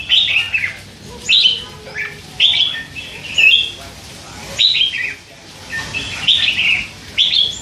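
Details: Young captive red-whiskered bulbul, hand-raised and three months old, chatters continuously. Repeated clear, liquid chirps and short warbled phrases come roughly every second, some slurred upward and others dropping, with brief pauses.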